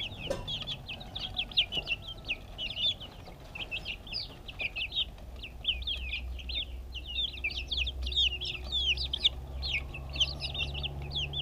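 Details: Backyard chicks eating food, filmed with a GoPro camera: a dense, continuous chorus of high, thin peeps, many overlapping short chirps throughout, over a low steady hum.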